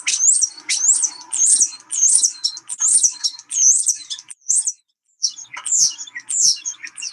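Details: European Starling song, final section of high-frequency song types described as the loudest part, sounding like high-pitched screams audible at a distance; shrill looping squeals repeated about twice a second, with a brief pause before more.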